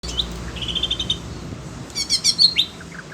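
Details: Caged Oriental magpie-robin singing, agitated on hearing other birds: a short high chirp, a rapid trill of repeated notes, then a burst of sharp whistled and buzzy notes with a steep descending slur.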